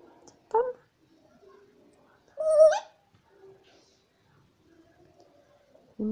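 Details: Indoors, a 25-month-old African grey parrot asks for its snack: a short clipped syllable, then a louder sustained tone ending in a rising flick, followed by softer faint murmurs and a final brief sound.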